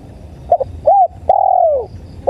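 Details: Tekukur (spotted dove) coo played for luring birds: a short doubled hoot, an arched mellow coo, then a long coo gliding down in pitch, a new phrase starting at the end, with low background rumble.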